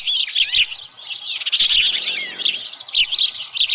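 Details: An osprey calls at its Dunrovin Ranch nest on a July 2018 morning with a headless fish present. Shrill, slurred whistles rise and fall in short clusters, pausing briefly between bursts.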